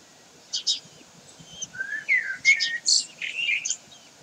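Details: Common kestrels, Sägeweg, 16 May 2023: after short paired high chips, a series of loud squealing whistles sweeps down and up, delivered in quick uneven bursts with brief gaps, against faint low rumble.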